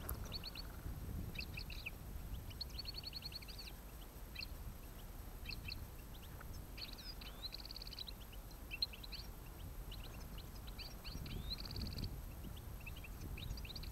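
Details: European goldfinches during autumn trapping, 29 October 2017: faint, rapid twittering phrases of short high chirps and trills come in bursts throughout, over steady low rumbling background noise.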